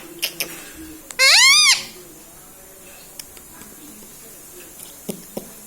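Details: Indoor pet parrot known for saying mummy and mithu; a single loud, arched, harmonic utterance lasting about half a second, then quiet room noise with light knocks.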